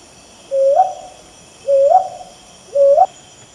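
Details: A Brown Hawk-Owl (Ninox scutulata) calls at night, giving three soft, rising 'oo-wup' hoots, each sliding upward at the end, about one per second, over a steady high insect hum.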